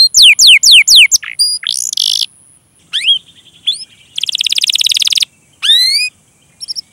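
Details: Canary 'gacor' cuit-cuit song with rolls, meant to prompt young or non-singing canaries to sing; a few fast falling whistles, pauses, a buzzy trill, then sharp rising chirps.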